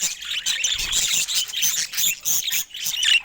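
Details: Budgerigar squawks come in rhythmic pulses, about three every second: rough, high, buzzy notes with brief dips between them.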